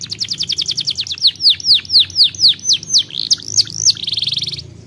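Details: Canary song with a rapid burst of short high notes, then evenly spaced swooping whistles about four per second, ending in a dense buzzing trill.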